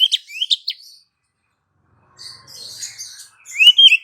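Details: Female Oriental magpie-robin calling to a male, used as a lure sound: quick high sliding whistles and chirps in the first second, a pause, then a scratchy chatter ending in a loud rising whistle.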